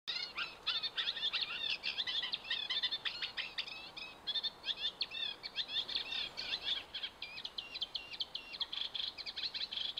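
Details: Eurasian reed warbler singing at Hammer Pond, Knepp Wildland: a rapid, continuous chatter of scratchy, clicking and churring notes, each phrase repeated two or three times, with faint background ambient noise.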